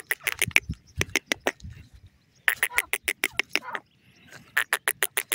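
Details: Grey partridge calling: rapid series of harsh, clicking notes, roughly three per second, given in three runs separated by brief pauses, with no other clear sounds.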